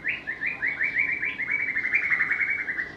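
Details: A White-rumped shama gives a rapid series of repeated chirping notes, held at a steady pitch in a rhythmic run lasting about three seconds.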